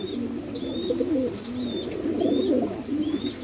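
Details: Fantail pigeons of the red tail mark type kept on a Bangladeshi farm, many birds cooing at once in a steady low warble, with short high whistles drifting in and out above the murmur.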